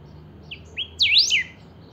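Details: Saffron finch (chiviro) in full song, recorded to be played to other chiviros to get them singing; two short rising chirps lead into loud, clear whistled phrases swooping rapidly up and down, over a quiet background.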